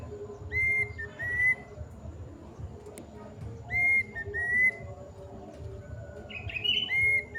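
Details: Plaintive cuckoo, known locally as kedasih, calling at length: clear whistled two-note phrases, each note a short rise to a steady tone, repeated three times roughly every three seconds, with a faint hum behind.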